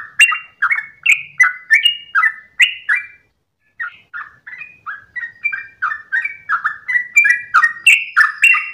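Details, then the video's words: At dawn, a sooty-headed bulbul delivers a long ropel song, a fast string of clear, sliding chirps with a brief break near three seconds, then a busier, slightly higher run of overlapping notes; quiet background. "ROPELAN TRUCUKAN Terbaik subuh pagi hari"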